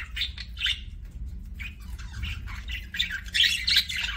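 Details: Pet budgerigar kissing sounds: short scratchy chirps and clicks in scattered bursts, louder near the end, with noticeable low rumble in the background.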